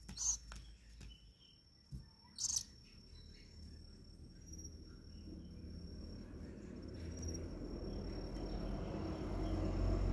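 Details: Young owls, a pair of hand-raised chicks being fed crickets on their ninth day of hand-feeding, 21 August 2020: a few brief rasping hiss bursts in the first three seconds, then rising low rumbling background noise.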